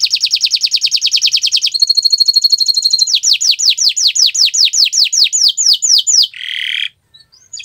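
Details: Canary in full song on a Friday morning: a rapid rolling trill, then a thinner high trill, followed by evenly repeated downward-slurred whistles and a brief buzzy note.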